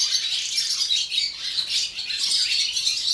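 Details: Several barn swallows singing together at dawn in a Gelselaar swallow farm, Netherlands; busy high-pitched twittering with short squeaky notes, swelling and dipping slightly in loudness.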